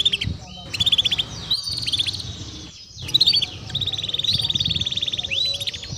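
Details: Broken phrases of Timbrado canary song, short trills and chirped bursts separated by pauses, over steady low background noise.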